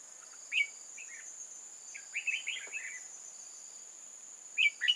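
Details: Decoy red-whiskered bulbul luring wild bulbuls into a trap, 8 October 2018: a few fairly quiet bursts of quick chirping, warbled notes, spaced by pauses, under a loud, constant high-pitched insect drone.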